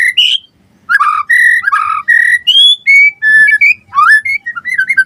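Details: Singing white-rumped shama (murai batu), a tutor recording for songbird keepers: sustained pure whistled notes at steady pitches, some doubled, mixed with rising slurred notes and a brief gap near the start.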